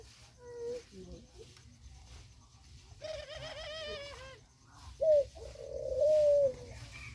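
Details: Black and white pigeons feeding together in forest and mountain country; soft, low hooting coos, a drawn-out one near the end, with a brief harsher harmonic sound in the middle.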